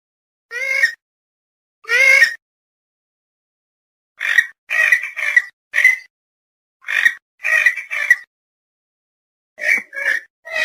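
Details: Purple swamphen calls used as a hunting lure: harsh, nasal squawks in short bursts, some single and some in quick pairs or triplets, repeated irregularly with silent gaps.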